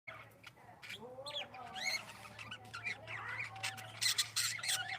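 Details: Breeding Budgerigars chatter in quick, warbling squawks and bright chirps that tumble over one another.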